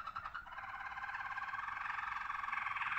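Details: Malinois Waterslager song canary from Spain, ringed bird: a soft, steady bubbling roll of rapidly pulsed mid-pitched tones that grows slightly louder, over a background hiss.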